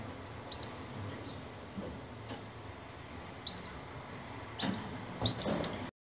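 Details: Yorkshire canary chicks, about 18 days old and being fed by the hen, give three short bursts of thin, high squeaky begging calls a few seconds apart, with soft rustles and clicks between.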